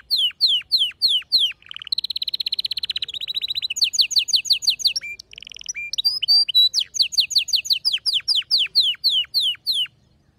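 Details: Male canary song with a female's mating call: repeated downward-sweeping whistles, fast buzzy trills at a steady pace, short pauses, then renewed series of falling whistled notes, very clear and loud.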